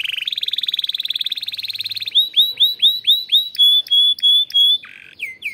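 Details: Canary kept in a breeding room sings a fast pulsed trill for two seconds, then a string of bright down-curving whistled notes, then a few steady held notes, ending with quick slurs.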